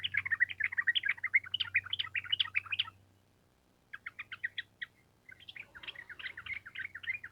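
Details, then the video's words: Sooty-headed bulbul in energetic long rolling song: rapid chattering phrases of bubbly, up-and-down notes, a brief silence, then further hurried warbled runs, with a faint low hum beneath. "Pancingan Trucukan Gacor Ampuh Untuk Masteran Burung Trucuk Supaya Cepat Nyaut Bunyi Ropel Panjang"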